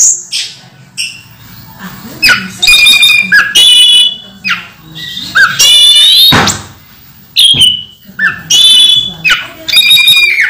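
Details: In moult but still vocal, a pet orange-headed thrush gives varied, rich whistled phrases with ringing overtones in loud bursts every second or two, between quieter pauses with soft low room noise.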